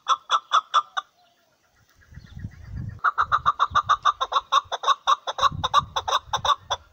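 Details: A chukar partridge kept as a hunting bird gives a loud run of harsh, clucking chuk notes, four quick ones, a pause, then a long accelerating series of evenly spaced notes, with low thumping rumbles between.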